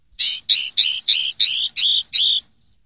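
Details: Linnet clean song ('pardillo limpio'), 2023/2024 season: seven evenly spaced, slurred twittering notes, each about a quarter second long, at roughly three per second, sounding bright and slightly nasal. Nothing else is clearly heard.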